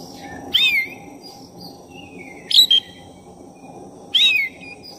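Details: Oriental magpie-robin of the black-breasted type singing vigorously, played to stir up another magpie-robin; three loud swooping whistled phrases roughly every 1.7 seconds, separated by quiet drawn whistles, over a low background hum.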